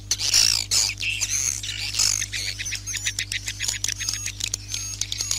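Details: Swiftlet calls in a night lure recording for a bird house. Loud high twittering bursts in the first two seconds give way to rapid, clicky chirps, with a steady low hum underneath.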